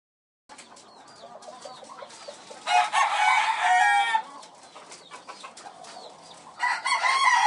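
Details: Farm chicken: soft scattered clucks, then a loud, harsh, drawn-out rooster crow lasting over a second, with a second crow starting near the end.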